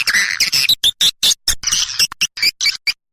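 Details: Swiftlet calling sound for attracting swiftlets, cut and joined: a quick series of high, squeaky chirps and twitters, about two per second, some with bright whistled peaks, ending in silence.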